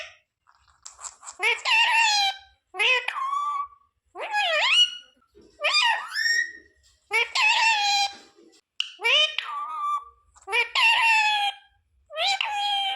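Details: Talking parrot imitating phrases like sita-ram and jay shree ram; about eight separate shrill, speech-like bursts of two or three syllables, each sliding in pitch, spaced roughly every one and a half seconds.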